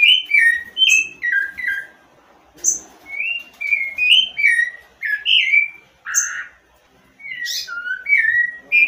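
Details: A Rufous-bellied Thrush (sabiá-laranjeira) of Brazil sings rich, fluting whistled phrases, mostly falling in pitch, delivered in short varied bursts with brief pauses between them.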